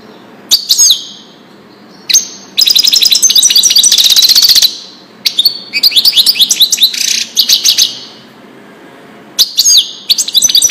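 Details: European goldfinch singing a Widani-style song, played to tutor young goldfinches and hybrids; bright high twittering bursts with trills and buzzy notes, broken by short pauses, then resuming in rapid chattering phrases.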